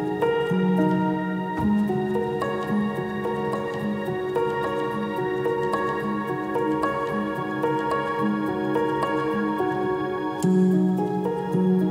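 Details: Soft, sustained ambient music with layered tones and gentle chimes, and no animal voice anywhere.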